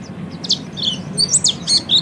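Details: Oriental white-eye in ngeriwik style, played to coax other birds into ngeriwik and ngepelong singing: a brief burst of thin, high chirps and short sliding whistles over a low steady hum.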